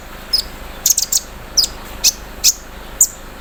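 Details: Olive-backed sunbird set out in the morning air, singing with an embroidery-machine mimicry filling: sharp, very high ticks and short whistled notes, spaced irregularly about every half second, over a faint hiss.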